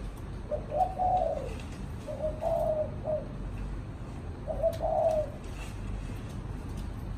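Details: A captive Spotted Dove kept as a cage bird gives three soft, low hooting coo phrases, each about a second long and spaced two seconds apart, over a faint low background hum.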